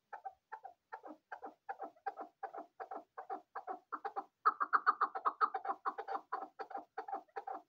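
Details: Male and female chukar partridge calling: a fast run of harsh, clucking chuk notes, roughly four per second, growing louder and more crowded toward the end, with a quiet background.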